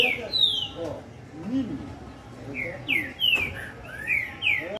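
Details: Green-winged saltator (trinca-ferro) singing a lot: bright, descending whistled notes in quick series after a brief gap, with low voices and a sharp click in the background.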